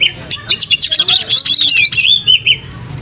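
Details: Oriental magpie-robin singing energetically while spreading its tail: a fast run of high, sharp whistled notes and scratchy chatter that slides down into a final lower, drawn-out whistle.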